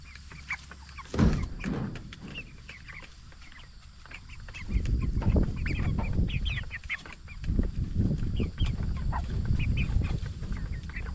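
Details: Jumbo Cornish Cross broiler chickens, 44 days old, raised for meat, giving soft repeated clucks and faint chirps over low rustling and shuffling of the flock, with bursts of heavier scratching noise.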